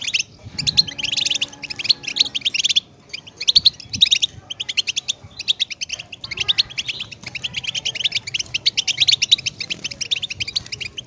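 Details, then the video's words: Long continuous twittering from a European goldfinch: dense, fast high chirps and trills running almost without pause, with a faint low hum underneath. "Goldfinch Best Motivational Sound!"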